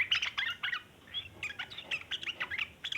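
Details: Long chattering song of a yellow-vented bulbul, meant as a lure for other bulbuls: rapid, scratchy twittered notes in irregular bursts throughout, briefly pausing near the middle before resuming.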